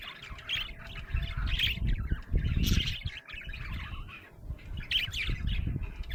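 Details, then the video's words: Happy budgie chirping: bursts of rapid, scratchy chirps and warbles separated by brief lulls, with a strong low rumble running underneath. "Happy budgie chirping sound"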